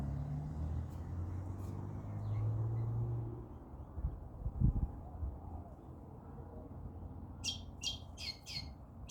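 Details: A lone lorikeet gives four harsh, screechy notes in a quick burst near the end, over a steady low rumble like traffic or wind.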